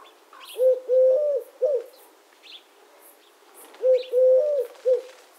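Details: Low hollow triple coos of a Eurasian collared dove, two phrases about three seconds apart, accompanied by thin high chirps of other small birds.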